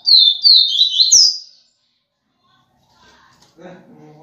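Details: A double-collared seedeater sings the "viviti" song type: a quick run of high, sweeping whistled notes rising at the end. After a pause, a man's voice briefly speaks.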